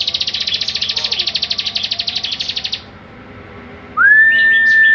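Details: Bar-winged prinia, a kept bird recorded as a master song for training other songbirds: a quick, regular high trill lasting almost three seconds, then a pause. A loud steady rising whistle follows, with brief high chirps over it.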